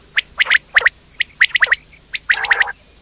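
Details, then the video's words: Indian quail giving short bright chirps in quick pairs and triplets, ending with a longer, lower, buzzy churr mixed with more chirps. "quail sound effect/quail bird sound/quail sound effect video/indan quail bird sound/ batair ki Awaz"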